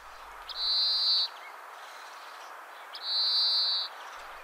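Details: European Greenfinch giving the simpler of its two very different songs, an almost croaking sound: two long, flat, buzzy wheezing notes, each nearly a second long and about two and a half seconds apart, over faint background hiss.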